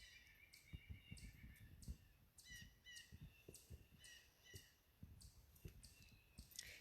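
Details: Several blue jays call excitedly, harsh repeated notes about every half second, worked up about something at a waterfront on May 15, 2020, over low rumbling wind and water.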